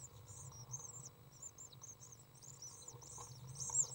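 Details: Common Swift young, 8 days old, in a nest box as a parent feeds them and cleans the nest on 6 June 2012, give thin, very high-pitched chirps, short wavering notes repeated several times a second, over a low steady hum.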